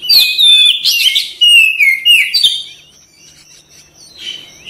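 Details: Caged white-rumped shama singing loud, rich whistled phrases with falling and rising slurs for about three seconds, then quieter, with a faint high steady tone.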